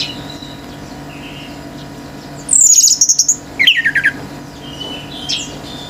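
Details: Male orange-headed thrush in full song, provoking other birds: a thin very high whistle followed by a descending string of quick, chattering notes, then faint far calls over a low background hum.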